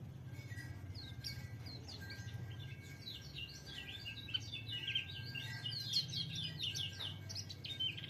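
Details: White-eye (pleci) singing a busy run of high, twittering chirps and short slurred notes, with a steady low hum and rumbling background noise underneath throughout.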